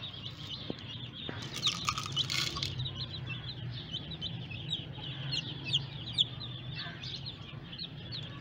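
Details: Freshly hatched chicks keep up a busy stream of shrill, quick peeps, more than two a second, with a brief rattling clatter near the start and a low hum underneath.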